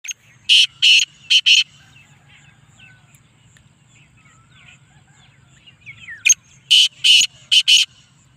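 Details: Black francolin of a speeder chakri type, calling: two loud series of harsh, grating notes, four per series, a few seconds apart, over a low steady hum.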